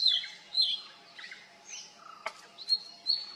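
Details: Oriental magpie-robin in mimicry, its song including borrowed calls of other birds such as Black Drongo: bright slurred whistles, lower churring notes and a sharp click, ending in high whistled phrases.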